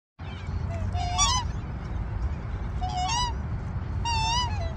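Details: Australian black swans in Australia give three soft, wavering bugled notes about a second apart, musical rather than hissing, over a steady low rumble of background noise. Black swan.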